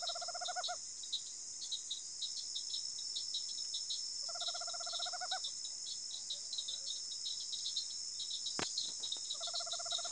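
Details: Three rapid purring trills from a tropical screech owl in rural Araçatuba, São Paulo, each about a second long and spaced several seconds apart, over a dense, shrill insect chorus and one sharp click.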